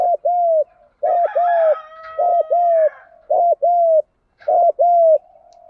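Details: Male and female spotted doves calling to spur kept doves to coo: steady series of paired hollow coos, a quick dip then a sustained mellow note, with a faint higher whistled overtone in the middle.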